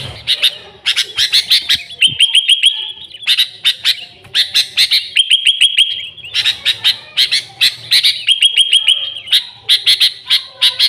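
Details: Sooty-headed bulbul singing vigorously with no other birds mixed in, a recording used to lure the species. Repeated cycles of fast, sharp chirps each end in a sustained whistled note, continuing without a break.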